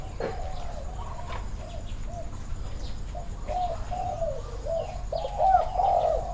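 A spotted dove coos in soft, low, hollow phrases that run on without pause, over a low rumble of background noise and faint chirps from other birds.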